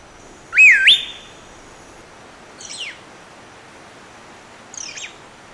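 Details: Rufous Piha in Costa Rica, filmed with a Fujifilm XH1 on 2021 trips to national parks: one loud whistled note that dips, then sweeps sharply upward and holds, followed by two faint, thin, downslurred chips from another bird.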